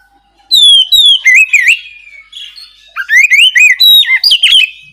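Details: Oriental magpie-robin singing loudly in the ngeplong style, meant to stir a silent bird to reply: two lively bursts of varied whistles, slurred warbles and sharp chips with a brief pause between.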